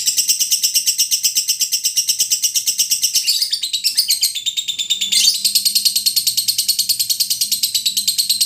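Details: Lovebird training song: a long unbroken, high-pitched rattling chatter of fast buzzy pulses. It roughens and breaks into scratchy bursts twice in the middle, then resumes its steady shrill trill.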